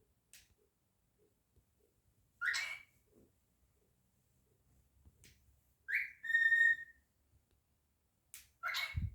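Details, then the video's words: Pet cockatiel indoors, singing and whistling: scattered short chirps, then a clear, steady pure whistled note held for about a second, with faint room noises. "Cockatiel singing, whistling and saying his name"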